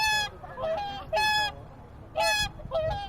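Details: At Lake Utonai, Hokkaido, resting swans give loud bugle-like honks, four strong calls in three seconds, each ringing and slightly rising at the start, with quieter answering notes between them.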